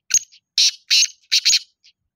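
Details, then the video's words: Black francolin (kala teetar) giving loud, harsh, grating call notes: four rasping bursts in about two seconds, the last two closely paired, ending with a faint short note; no other sounds. "Kale teetar ki khubsurat awaaz Kale teetar ki awaaz"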